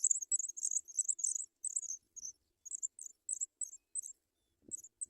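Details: Nestling African pipits beg while adults bring white butterflies to feed them: shrill, high clustered chirps in rapid uneven bursts that fade to scattered notes toward the end, with one soft low knock.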